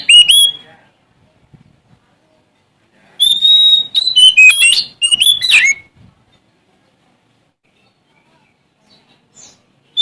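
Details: A male Oriental magpie-robin from Sumatra sings to challenge rivals: a short whistle, a pause, then a dense loud burst of clear whistles and fast chirps, then silence before one final note.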